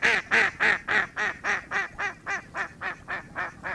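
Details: Duck calling with a steady chain of about thirteen rasping, nasal quacks, each evenly spaced at roughly three to four per second, strongest in the first few and gradually softening.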